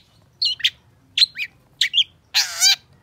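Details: Long-tailed shrike singing: paired squeaky chirps separated by short pauses, then a long loud harsh grating rasp at the end.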